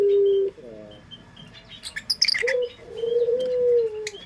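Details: Pelung-style coo of a local Barbary dove from Indonesia, recorded as a lure. A steady low coo stops abruptly, then faint stepped notes and scattered clatter follow. A second coo starts with a short rise and swells into a long, even, slowly falling tone, with thin chirps in the background.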